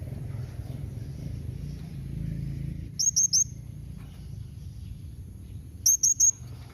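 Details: Calling blue-crowned hanging parrot, used to get other hanging parrots to answer: two quick triplets of thin, piercing high notes several seconds apart, with low background noise.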